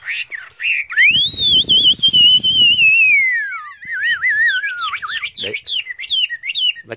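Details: A trained, caged Chinese hwamei delivers a long looping whistle that rises, holds and slides downward, then breaks into fast twisting up-and-down notes; low rumbling handling noise in the first seconds.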